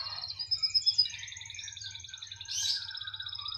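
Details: Canary singing strongly wherever it is placed, delivering a bright, very high rolling trill of fast repeated notes, then a smoother sustained warble with a brief harsh burst near the end; a faint low hum underneath.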